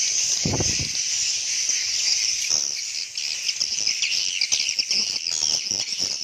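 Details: Swiftlets calling to one another: a steady high twittering chorus of many overlapping chirps, with a low thump near the start and scattered clicks.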